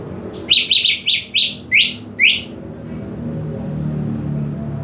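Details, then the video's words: Greater green leafbird calls played to provoke aggression: six sharp, down-slurred whistled notes in quick succession, then silence with a low rumble of background noise. "PANCINGAN EMOSI UNTUK CUCAK IJO KURANG EMOSI"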